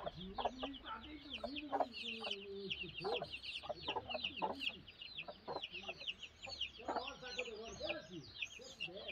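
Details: Brooding hen uttering low, throaty, drawn-out clucks and grumbles, accompanied by constant high cheeping overhead.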